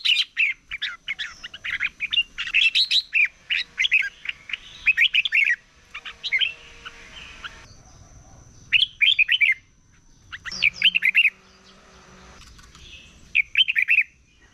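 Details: Red-whiskered bulbul singing competitively in the morning, likely caged: rapid, repeated bursts of bright chirping, warbled notes, with dense phrases early and shorter bursts later, and a faint steady high tone throughout.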